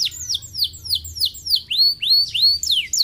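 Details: Canary song played as a lure to prompt lazy caged birds to sing: a fast series of high downward-sweeping whistled notes, about three per second, shifting into rising and hooked phrases, with a faint low hum underneath.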